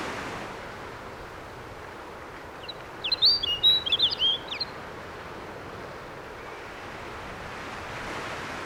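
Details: A male snow bunting singing on its breeding territory in summer on Grimsey Island, Iceland, gives one short, bright, warbling phrase of quick, high, twittering notes lasting under two seconds, over a steady roar of surf and wind.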